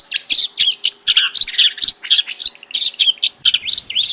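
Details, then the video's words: Long-tailed shrike in its natural habitat giving a steady string of harsh, scratchy chattering notes, several each second, with sharp clicks between them. "SUARA BURUNG CENDET DI HABITAT ASLINYA"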